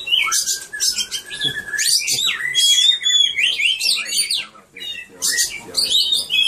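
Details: A caged Oriental magpie-robin (Copsychus saularis) sings a rich, varied stream of clear whistles, slurred notes and scratchy chatter, mostly high-pitched and almost without pause.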